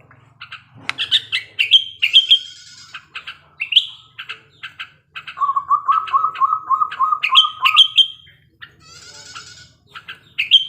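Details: Wild male sooty-headed bulbul in breeding condition, sung as a lure to draw out rival bulbuls' song. Varied whistles and chirps, then a steady low trill of about a dozen even notes, then more bright rising whistles.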